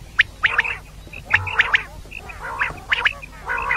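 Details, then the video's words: Female common quail, known locally as batair, calling for morning use; short nasal chirps with strong harmonics repeat in irregular bursts of two to three notes, close and clear over faint low background hum. "Batair Ki Awaz |suba ki liye Batair Ki Awaz | Double Batair Ki Awaz | Female Quail Calling"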